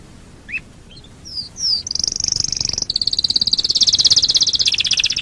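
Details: Domestic canary singing as a lure to prompt other canaries to sing: a few short rising chips, then a loud high pulsed trill that speeds into a rapid, even rattle lasting several seconds.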